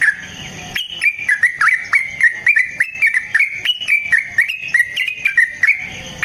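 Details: Yellow-vented bulbul fighter song used as a lure and training master: a rolling string of liquid whistled notes that step up and down in pitch, delivered quickly and unevenly over faint background hiss.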